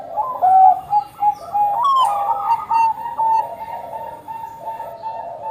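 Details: Zebra dove of the Bangkok type in song: soft, bubbling coos with a sudden sharp chirp, then a drawn-out, gently wavering cooing tail.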